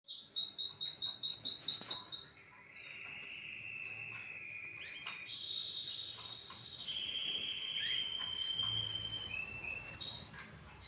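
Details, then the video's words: Canary singing in the morning: a trill of rapid repeated notes, then long sustained rolling tones and rising whistled phrases, all high-pitched. "اجمل صوت للكناري"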